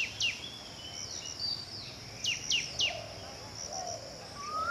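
Tickell's blue flycatcher gives high, thin, sharply falling whistled notes in quick clusters, with softer sweet phrases between and a low background hum.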